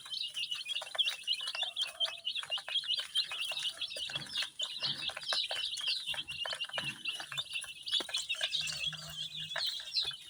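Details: A crowd of colour-dyed baby chicks chirping nonstop, their shrill, rapid peeps overlapping into a constant high twittering, with occasional soft low thuds in the background.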